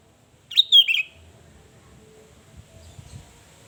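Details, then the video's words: Sooty-headed bulbul singing to lure and provoke rivals: one short, rich whistled phrase, a liquid tumbling flourish that drops in pitch, followed by quiet low background rumble. "SUARA BURUNG KUTILANG GACOR 2022//SUARA PANCINGAN BIKIN EMOSI LAWAN"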